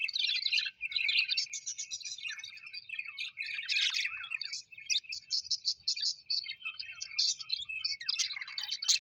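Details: Several happy pet budgies keep up lively warbled chatter: buzzy trills, rapid ticking notes and squeaky chirps overlap steadily, with a louder scratchy burst near the end.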